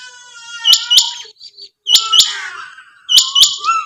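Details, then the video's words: Female quail calls: three pairs of sharp, high, clipped notes, about a second apart, over a steady tonal hum. "chinga batair ki awaz /Quail sound"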